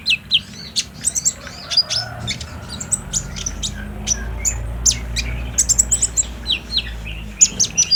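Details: Olive-backed sunbird lure song meant to draw a captive bird into singing, phone recording: rapid high chirps and twittering ticks scattered through, with soft low background rumble.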